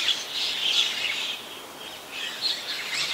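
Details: White-vented myna recorded 21 October 2021 in Ubon Ratchathani, Thailand: dense, wheezy, high chattering in two bursts separated by a brief lull.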